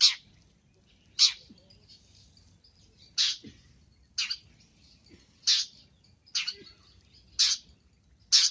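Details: Long-tailed shrike in a training recording full of varied song content: loud, abrupt harsh notes repeated roughly every second, with faint high twittering between them.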